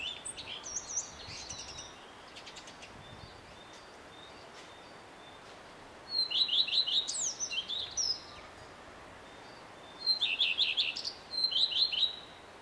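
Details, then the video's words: Male common redstart song, heard early morning until evening: bright high strophes of quick repeated down-slurred notes with twittering tails, separated by quiet spells and some faint clicking. "Samczyk pleszki i jego piękny śpiew"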